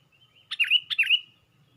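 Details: Sooty-headed bulbul on a twig with wings lifted, a luring recording: two rapid paired phrases, each a sharp note followed by a swooping, liquid double chirp, in under a second.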